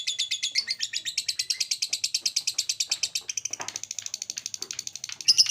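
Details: Continuous fast chattering trill from a lovebird singing ngekek to provoke others, harsh high buzzy notes repeated evenly for about three seconds, then a thinner run with a brief low rustle in the background.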